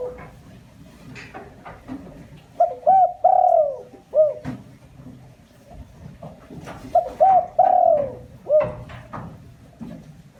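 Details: Spotted dove lure call, meant to excite other doves, heard as two complete cooing phrases. Each phrase has two or three short hoots, a long falling coo and a short closing note, separated by a pause of about four seconds.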